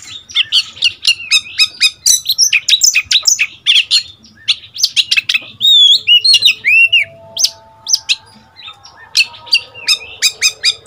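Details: Seven-month-old decoy Oriental magpie-robin, a young male in its first moult, singing back at wild birds: a long, dense stream of varied whistles, sharp chirps and rising slurred notes, with a faint steady tone midway.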